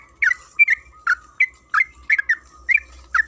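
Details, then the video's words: Short excerpt of yellow-vented bulbul (trucukan kebo) song, a lure recording for getting bulbuls to sing: eight bubbly, slightly buzzy chirps in quick uneven succession, with a faint constant tone and low hum in the background. "Pancingan trucukan agar bunyi‼️Suara burung TRUCUKAN KEBO Gacor ropel Panjang"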